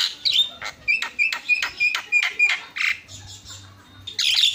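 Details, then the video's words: Javan myna delivering lively fill-in song: a quick series of harsh chattering notes repeated roughly three times a second, then a pause and a loud scratchy squawk. "SUARA ISIAN..!! JALAK KEBO PALING KRENN"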